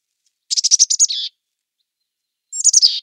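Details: Mountain chickadee calling: a quick burst of high stuttering notes that runs into a lower buzzy drawn-out note, then after a silent gap a shorter similar phrase ending in buzz, clean with no background.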